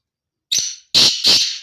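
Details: A kala teetar, the black francolin, calls loudly and harshly: one short scratchy opening note, then after a short gap two drawn-out grating, buzzy notes close together, with nothing else audible in the background.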